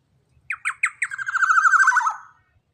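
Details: Loud young captive Black-naped Oriole, large in body, singing as a training model for cage birds: three clipped downward-slurred notes lead into a rapid rattling, quavering run that drops in pitch before trailing off.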